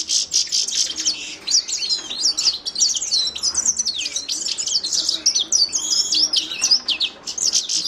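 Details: Lively twittering song of a Himalayan goldfinch (Carduelis caniceps), high chirps and swooping notes strung together rapidly and continuously.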